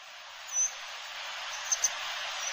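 A Grey Wagtail gives three or four sharp, very high, thin 'tzit' notes, spaced unevenly over a steady rushing of water.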